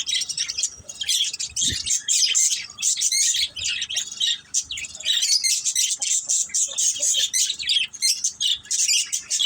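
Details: A budgerigar family calling together: continuous high twittering and chirping chatter with short squeaky notes and a soft thud early on.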